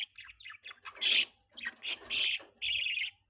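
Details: Budgie giving quick soft twitters that lead into louder, harsh, squawky chirps in three strong bursts.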